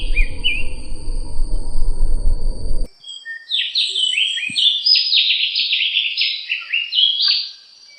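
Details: Opior (white-eye) from Sumbawa, recorded as a tutoring track for training other birds: rapid, chattering run of high, slurred notes that rise and fall in quick succession, starting after a few seconds of low rumbling background noise, with a steady faint high tone throughout.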